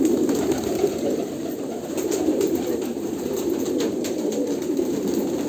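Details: Kolkata pigeons murmur in a constant chorus of soft, throaty coos, a low even drone punctuated by faint clicking sounds.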